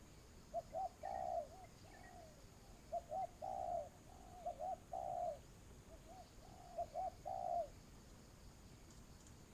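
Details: Spotted dove kept as a ground lure for trapping in Vietnam, repeating cooing phrases of short notes ending in a longer falling coo, several phrases over about ten seconds, a second quieter dove answering, steady high hiss.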